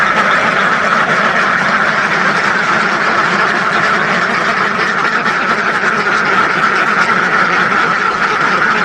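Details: Massed quacking from a flock of thousands of ducks, heard as an unbroken dense babble of harsh overlapping calls, uniform in volume from start to end.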